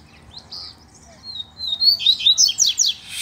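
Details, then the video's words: Double-collared seedeater, one of two males singing in competition with a loose bird of the same kind: soft whistled notes, then a rising whistle that breaks into a fast, buzzy, descending trill of rapid strokes. "Cantando e Disputando Com o Coleiro Solto"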